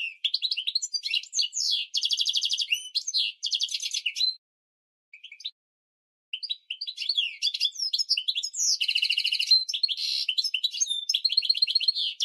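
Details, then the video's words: Long, almost continuous high-pitched twittering from a goldfinch mule, used as a training song for canaries and goldfinches. Buzzy trills and metallic chips run fast, broken only by a short gap midway. "GOLDFINCH mule Training Song - for Canary & Goldfinch"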